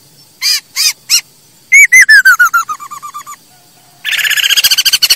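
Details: Masked laughingthrush song for training caged birds: a few sharp notes, then a descending series of loud slurred whistles, a pause, and a rapid chattering run of harsh pulses at the end.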